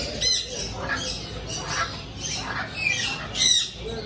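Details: Pet parrots, several kinds, calling in a noisy setting; harsh high squawks and screeches repeat through the recording, with busy broadband background noise.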